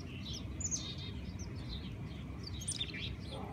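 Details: Mountain Chickadees eating peanut butter close by in a Colorado Springs backyard on a nice day give thin, high chips and short twittering notes at scattered intervals over a steady low rumble of wind.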